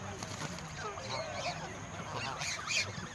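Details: Flock of more than a hundred geese being fed in the countryside: overlapping nasal honks and harsh cackles in a dense chorus, several loud calls rising near the end, with a steady background hiss.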